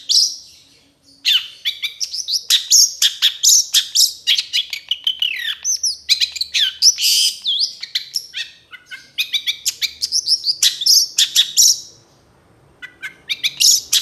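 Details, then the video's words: Long-tailed shrike (cendet) song made as a training recording for other songbirds: a fast, dense stream of varied high chirps, trills and sweeping whistles, with a short pause near the start and another before the end. "MASTERAN CENDET TROTOL AMPUH CEPAT GACOR, PANCINGAN CENDET GACOR FULL ISIAN"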